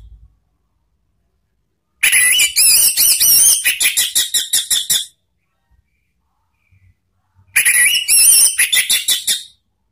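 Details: Orange-headed thrush song used as a lure to train cage birds, in the ngeplong and ngeriwik styles from Indonesia: two dense bursts of rapid chattering and whistled notes, high and bright, separated by several seconds of silence.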